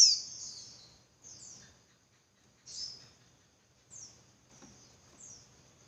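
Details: Female Javan white-eye calling as a lure for males to sing harder; a loud opening burst then spaced, softer, high descending slurred notes every second or so over a low faint hum.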